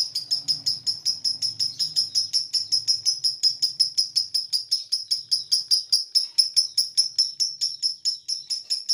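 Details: Lovebird (Biola type) in a minute-long unbroken ngekek: a shrill, high chattering trill of rapid kek notes, about five per second, with no pause and only faint low background noise.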